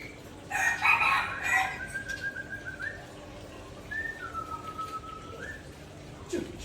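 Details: White-rumped shama singing in a relaxed way at dusk: a short burst of bright chatter, then a few long, level whistled notes, one ending in a slight upward slide, over a steady low hum.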